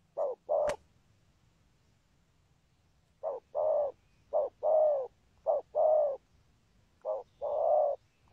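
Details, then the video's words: Deep paired cooing from a spotted dove described as having a song pattern, good rước and thúc gù. A sharp click and a pause of nearly three seconds come first, then short-long coo pairs resume steadily. "Chim Cu Có bài, rước tốt, có thúc gù"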